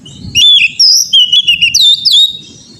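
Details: Clear, powerful whistling from an Oriental magpie-robin used to train an untrained bird: varied slurred notes and upward sweeps in a rapid chain of short phrases, over a soft low rumble.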